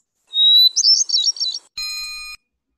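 Hermit thrush song: one long, clear, high whistled note, then a quick fluttering spiral of flutelike notes. A steady, buzzy electronic tone follows.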